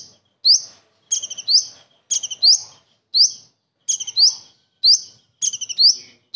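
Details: Common iora performing copied kingfisher phrases. Loud rising whistled notes alternate with stuttering trill bursts at a steady pace, with faint low murmurs in the background.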